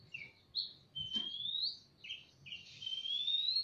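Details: Male and female Oriental magpie-robins answering each other in a semi-natural aviary: short high whistles alternating with long, slowly rising pure whistled notes, over faint low background hum.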